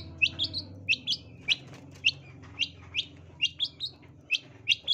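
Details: Long-tailed shrike singing in a lively, fighting mood, used as a lure sound. Short bright chirps sweep upward, repeated about twice a second in tight pairs and triplets, over a faint low hum.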